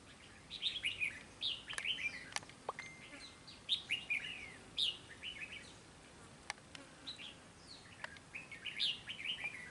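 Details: Red-whiskered bulbul at a fighting trap, challenging a rival: bright warbled phrases of quick rising and falling notes, repeated in bursts about every second, with sharp clicks and faint background hiss.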